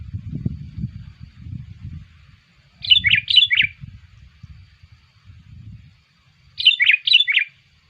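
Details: Bulbul-attracting lure call of a sooty-headed bulbul: two bursts of tumbling, bubbly chirps a few seconds apart, over a steady low rumbling background noise.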